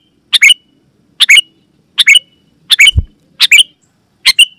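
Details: Sooty-headed bulbul calling loudly, used to lure wild bulbuls and prompt other bulbuls to sing; six short, harsh, chattering bursts of two or three notes each, about one per second, with a single low thump near the end.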